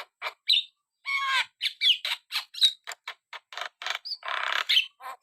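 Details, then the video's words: Black-winged starling singing energetically, a jumble of short harsh squawks, rasping bursts and clear whistled notes near the top, delivered in quick uneven succession with brief gaps. "burung jalak kebo gacor"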